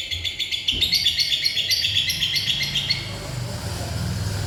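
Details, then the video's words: Lovebird singing in the bocor isian style: a fast, steady run of bright chirps, roughly four per second, that tails off into softer notes, over a low background rumble. "love bird bocor isian"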